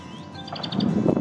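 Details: A hidden Common nightingale singing from a nearby tree at RSPB Minsmere, Suffolk, on a cold, windy 5 May 2019, gives a quick burst of five rapid, high, repeated notes, followed by low rumbling background noise.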